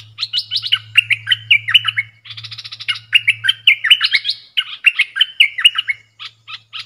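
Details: Caged bulbul dueling in song with wild birds, dok taeng style, 3 October 2021: loud, lilting whistled phrases with swooping slurs, repeated in bouts, over a faint low electrical hum.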